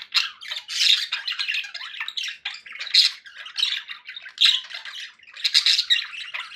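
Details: Pet budgies in a happy mood, nonstop scratchy warbling with louder chirps standing out roughly every second or so.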